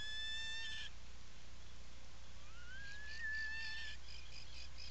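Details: Atlantic puffin in its nesting burrow at a breeding colony on Seal Island National Wildlife Refuge, Maine, afternoon of 17 July 2018: a brief steady whistled note, then a longer thin whistle sliding upward and levelling off, over a constant low hum.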